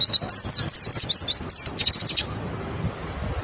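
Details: White-eye singing clearly as a lure recording meant to make other white-eyes respond and sing: a fast run of high, sweeping twittered chirps lasting about two seconds, ending abruptly and leaving quiet background.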